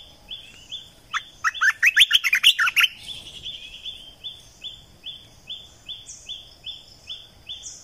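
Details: Red-eyed bulbul decoy song, a new 2020 recording meant to lure birds: a loud burst of bubbly, jumbled notes lasting about two seconds, over a steady background of short rising whistles repeated about three times a second.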